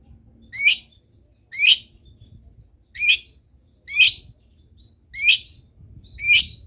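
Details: Long-tailed shrike in full, lively song, used as a training recording to set other shrikes singing: a harsh, buzzy, downward-sweeping note repeated about every second, six times in a row, in quiet surroundings.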